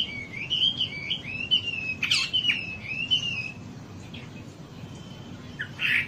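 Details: Wambi song for luring birds into singing: a chain of clear, rising-and-falling whistles with a sharp burst midway, then quieter scattered notes over faint hiss.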